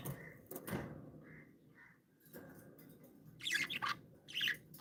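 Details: Pet budgerigars, described as happy and playful, giving a few short buzzy chirps toward the end after a quieter stretch with soft indoor knocks and faint tonal blips.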